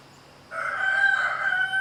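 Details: Chicken call from a farmyard where a hen shows her chicks to drink while a rooster harasses them: after a short silence, a loud sustained tonal call with rich harmonics holds steady for over a second.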